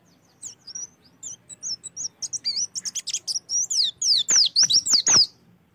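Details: Oriental white-eye song played to encourage birds to sing: soft varied twitters and wavering high warbles build into louder, rapid, sharply down-slurred whistled notes.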